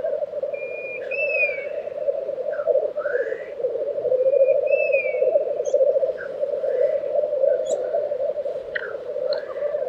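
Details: Black grouse lek recorded in Tiveden, Sweden, in April 2023; the constant low bubbling murmur continues beneath repeated sliding whistles and short upward calls from other birds.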